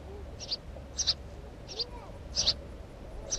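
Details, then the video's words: Bright doubled chirps from a house sparrow in a brief burst, notes coming every half second or so, with quiet background noise. "Воробей домовый"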